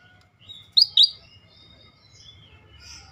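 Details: Scaly-breasted bulbul, described as rare and a persistent singer, recorded as a tutor track: two loud, sharp, high chirps a quarter second apart, followed by faint thin notes and near silence.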